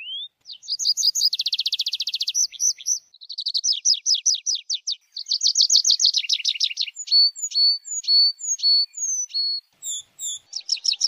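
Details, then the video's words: Tree pipit song: a high rising note, then fast dry trills and rattling runs of repeated chips, ending in a series of clear, drawn-out, descending whistled notes; no other sounds. "tree pipit sound صوت جشنة الأشجار"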